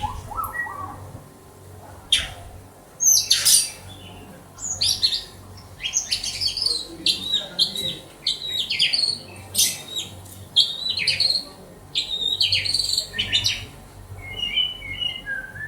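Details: Long passage from a kept white-rumped shama in Banda Aceh: a low opening whistle, then dense bursts of high scratchy notes, clicks and quick trills with brief pauses, over a faint background hum.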